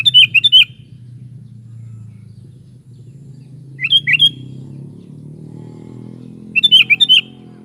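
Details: Kutilang, the sooty-headed bulbul, giving three brief phrases of liquid whistled notes, each a quick cluster of three or four rising-falling syllables about three seconds apart, over steady low rumbling background.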